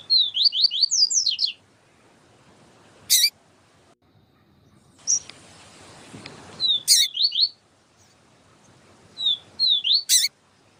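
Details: Yellow-bellied seedeater, known as papa-capim, singing the siu siu song as a tutor, with a female calling. Three phrases of quick, high, slurred whistles, each closed by a loud sharp click, with brief noisy stretches between.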